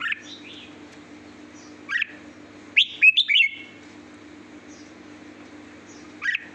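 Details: Red-whiskered bulbul singing: scattered short chirps, then a rapid three- to four-note whistled phrase in the middle, with a steady low hum underneath.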